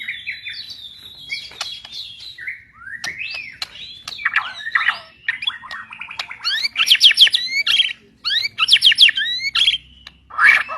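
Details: White-rumped shama, a rare white form said to live only in the mountains of East Kalimantan, Borneo, pouring out a varied song of whistled slurs, rapid high trills and harsh chattering phrases that grow louder toward the end.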